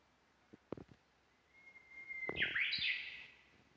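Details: Japanese bush warbler singing in the mountains, heard while walking and recorded on a smartphone, bird unseen. A long, level whistled note is held for about a second, then breaks into a quick, bright warbled flourish. A few soft knocks precede it.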